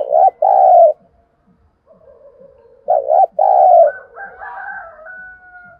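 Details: Lure spotted dove cooing to excite wild birds: two phrases, each a short wavering coo and then a long, mellow coo. A faint coo sounds between them, and a warbling, whistling bird chatters at the end.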